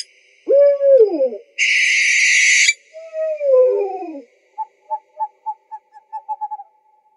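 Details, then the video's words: An owl gives two descending, quavering whinnies with a harsh hissing screech between them, then a quick run of short hollow notes that speed up toward the end. "Owl Sounds"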